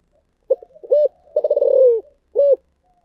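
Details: Spotted dove cooing in the thổ sấm voice style: low hollow coos, a short note, a rolling stuttered coo drawn out and falling, then a final single coo, clean and without background noise.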